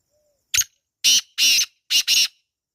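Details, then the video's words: ['Black francolin, wild, giving its grating call in a natural setting. A quick opening click-like note is followed by a rasping double note, then a second rasping pair. All five notes are loud and harsh, with near silence around them.'] "Kala Teetar Ki Awaaz | Real Wild Black Partridge Sound | Jungli Teetar Calling"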